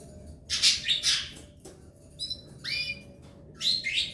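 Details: Three chicks in the nest of a Belgian canary pair give loud, rasping high cheeps in clusters, with a few drawn-out upslurred notes near the middle and a faint background hum.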